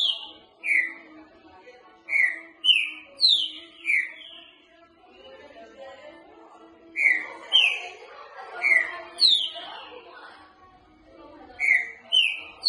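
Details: Green-winged saltator, soft-voiced singer used for training young birds: bursts of three to five clear slurred whistles, mostly falling in pitch, delivered in phrases separated by pauses of about two seconds, with faint background chatter.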